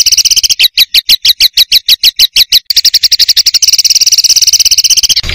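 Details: Oriental magpie-robin kept for song contests, pouring out isian filler material: a fast, even string of high clipped notes that speeds into a continuous rattling trill near the end.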